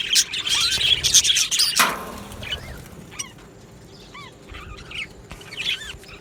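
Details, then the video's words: Budgerigar colony in an aviary, 22 June 2025: a burst of dense high chatter, a sharp clatter near two seconds, then scattered single chirps and short rising-falling whistles over quiet background. "Budgie singing sounds | Budgie chirping sounds"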